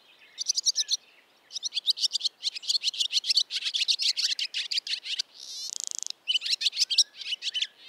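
A barn swallow gives a fast, high twitter of chirping notes in quick bursts, broken by a short dry buzzing rattle near the end.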